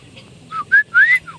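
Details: Lively Chinese hwamei song: a brief burst of three loud whistled notes, the last a long upward-sweeping slur, ending with a softer falling whistle.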